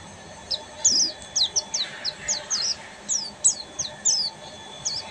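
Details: Buxtoni Oriental white-eye giving ngeriwik song, a fast series of high, sharp downslurred chirps in short bursts with brief gaps between them, over faint background noise.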